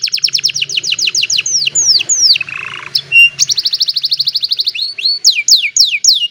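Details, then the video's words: Old canary singing on a sunny morning, cellphone recording; rapid series of high descending whistled notes, a brief lower rattling burst, then more fast sweeping trills and downslurred whistles, faint low hum beneath. "The Beautiful Sound of an Old Canary, in a Sunny Morning"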